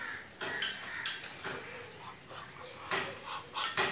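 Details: A domestic Muscovy duck greeting gives harsh, raspy calls in short bursts, about one every half second, with quieter breathy sounds between them.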